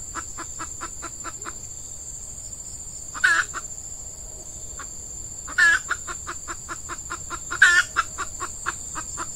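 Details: Red junglefowl hen used as a lure for males in peat scrub. A steady train of soft clucks is interrupted by three loud harsh calls spaced two to three seconds apart, with a continuous high-pitched insect whine behind.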